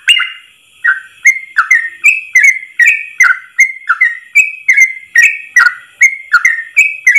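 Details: Tutor song of a Yellow-vented bulbul, ropel style delivered in a single long breath for caged bulbuls: steady run of rich whistled notes bending down and up, a little under two per second, plus sharp clicks.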